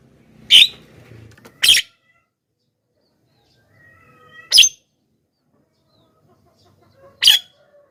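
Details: Javan myna giving loud calls intended to lure wild birds: four harsh, noisy bursts, the first two close together, with soft tonal whistles in the gaps.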